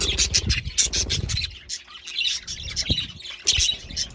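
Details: Young budgerigars, not yet fully grown, give raspy, scratchy chirps in quick bursts, with soft thumps of movement underneath.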